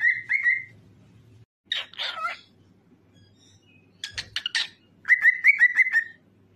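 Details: Whistling cockatiel, offered to prompt other cockatiels to sing: two short whistles, harsh screechy calls, then a fast tumbling run of about seven bright whistled notes.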